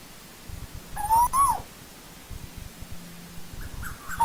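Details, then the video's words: One rising whistled note with an abrupt downturn from an Asian koel of old-growth forest, then quiet with scattered faint chirps, and the start of another note at the very end. "Tiếng chim TU HÚ rừng già"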